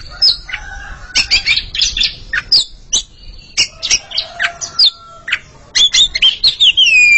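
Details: Two Oriental magpie-robins in a singing contest, trading loud varied phrases of piercing whistles, scratchy chirps and sweeping slurred notes, ending in a long, clear, downward-curving whistle.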